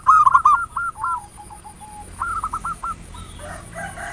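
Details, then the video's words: Local zebra dove in ngayer nulop style, played to stimulate other doves to sing: one rapid run of staccato cooing notes fading into softer spaced notes, then a quieter rolling phrase. "Perkutut lokal PANCINGAN SUARA NGAYER NULOP"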